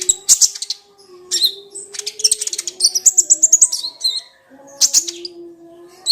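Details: Crimson sunbird, locally called kolibri ninja or konin, song used as a lure to provoke silent, sluggish sunbirds into singing: bursts of very high, sharp twittering notes in quick rapid runs, separated by short pauses, over a faint steady low hum.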